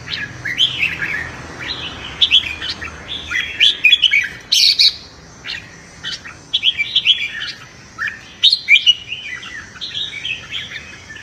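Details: Morning competitive song of a red-whiskered bulbul, used to train the voice and excite newly caught birds; rapid, bright warbled phrases follow one another almost without pause, mixed with a few sharp clicking noises.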